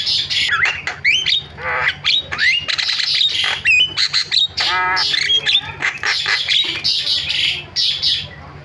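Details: Starling sounds played to provoke other starlings into calling: dense, loud harsh squawks and rasping chatter, broken by short whistled slurs and buzzy, stacked notes.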